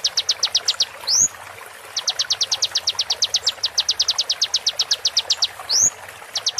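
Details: Konin song recorded as tutor material, full of sharp shots: brisk runs of thin, high, clipped notes, separated by two loud rising whistled sweeps, over a soft hiss.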